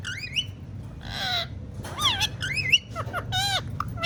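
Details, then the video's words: Pet talking parrot mixing looping, wavering whistles with two harsh, hoarse squawk bursts, in quick irregular sequence over a low background hum. "Talking Parrot Says Funny Words and Whistles Perfectly"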